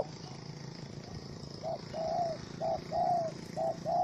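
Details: Wild spotted dove (Spilopelia chinensis), angry after being caught in a small rope trap, 04/07/2017: short paired coos repeated about once a second, rising out of steady hum and hiss.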